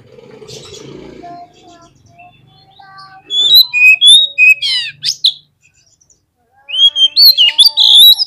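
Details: Oriental magpie-robin song played as a lure to provoke other birds to fluff up and fight: after a quiet, faintly noisy start come loud, rich whistled phrases, slurred notes and rapid chattering bursts, pausing briefly before another run of sweeping whistles.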